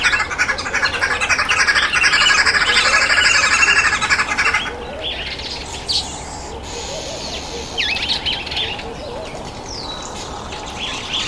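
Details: Green wood hoopoe at a feeding table; loud harsh cackling chatter for the first four seconds, then quieter with scattered short chirps and whistled notes from other birds.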